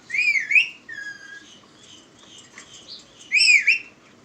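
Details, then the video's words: Talking pet parrot, kept as a house bird saying "Miya mitho": two loud, harmonic, whistle-like bursts that rise and fall, one at the start and one near the end, with a flat tone and soft, scattered notes between them in a quiet room. "My talking parrot / Miya mitho / batay krny wala tota"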